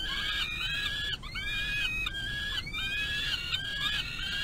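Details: Eyass peregrine falcon fed by the adult female outside the nest box at dinner, May 25 2022. Strident, long, slurred screams are repeated in close sequence with rough overtones.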